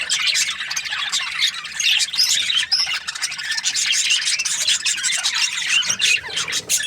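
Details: Budgies in a flock keep up a steady stream of high chirps, clicks and harsh squawks, densely overlapping throughout.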